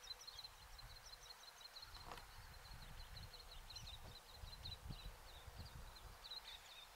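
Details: Little tern (Sternula albifrons), call.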